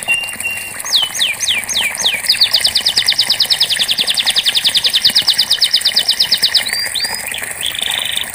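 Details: Canary song played as therapy to get silent canaries singing: a few sharply falling whistled slurs, then a long rapid even trill of about thirty notes, ending with short rising whistles.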